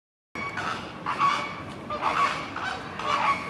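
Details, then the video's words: Mallard at Schönbrunn Zoo in Vienna gives four hoarse, nasal quacks, roughly one per second, each with a slight buzzy rasp, against a soft background hiss. "Stockente (Anas platyrhynchos)"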